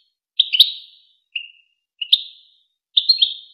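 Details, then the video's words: European goldfinch, recorded to tutor young goldfinches and hybrids: four short chirping bursts, each a quick cluster of clipped metallic notes, spaced about a second apart in silence. "شريط وكر توزغة الشهير لتسميع فراخ الحسون و الهجين"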